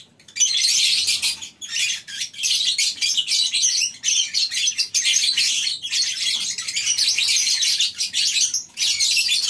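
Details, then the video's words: Colony of lovebirds on a breeding farm at morning time, shrill squeaky chatter from a crowd of birds, coming in dense pulses with short lulls between waves of calling. "Suasana Pagi Di Peternakan Burung Lovebirds di Kandang Koloni, Suara Love bird"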